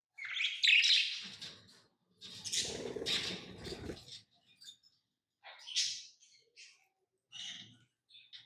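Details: Tamed lovebirds give high, raspy chirps and squawks in bursts, with a rough low rustle under the second burst and short chirps spaced out at the end.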